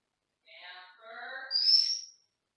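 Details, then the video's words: Caged pet Senegal parrot heard from another room, making a raspy, harmonic-rich call that ends in a sharp rising whistle, over about two seconds. "Saturday With A Senegal 50"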